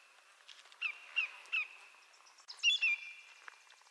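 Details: Greater yellowlegs, a North American shorebird, with three moderately loud falling whistles, then a pause and two more overlapping notes amid faint high chirps and light background noise.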